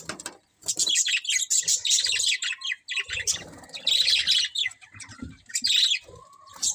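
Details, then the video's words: Budgerigar colony of colourful birds: loud continuous high twittering and scratchy chatter, long busy stretches broken by brief pauses, several birds calling together. "Cute Colourful Budgies Chirping Sounds | Budgies Colony"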